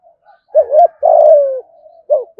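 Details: Thúc gù cooing of a spotted dove, thổ voice style, from Đồng Nai, Vietnam: one full low phrase, a wavering two-part note then a long steady coo sliding slightly down, and the start of the next phrase at the end.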